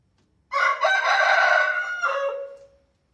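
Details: Loud single crow from a rooster, one continuous rich note of a little over two seconds that drops into a lower, thinner tail as it ends, with silence around it.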